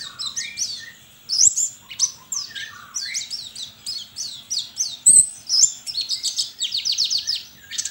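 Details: White-eye competing in an online singing contest from Sambas, West Kalimantan, Indonesia, a caged bird fed banana and egg-food; a long, fast, varied stream of high chirps and slurred whistles, ending in a quick rattling trill.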